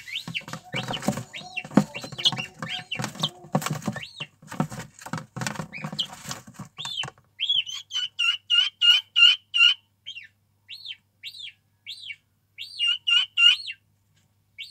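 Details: Guineafowl chicks calling. The first half has loud rustling and knocking noise. Clear, high, arched peeps then follow in rapid runs of three to four per second, with short pauses between runs.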